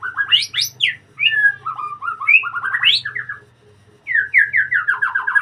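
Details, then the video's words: White-rumped shama kept in a breeding cage, singing energetically: rich mix of high sweeping whistles, trilled runs and descending note series, with a brief pause before a last cascade of falling whistled notes. "murai gacor dikandang ternak"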